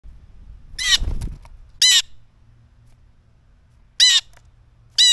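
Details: Blue jay screaming in front of the camera before snatching peanuts: harsh, raspy screams, three loud bursts a couple of seconds apart, with a low rumble of handling noise early on.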